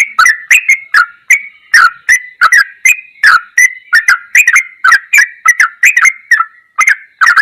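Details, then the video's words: Sooty-headed bulbul in the ropelan goklikan song style, used as a masteran tutor recording: a fast, unbroken chain of short liquid notes dropping from high to mid pitch, each with a sharp click, about two per second. No other sounds. "MASTERAN TRUCUKAN TERBAIK || ROPELAN GOKLIKAN TOP"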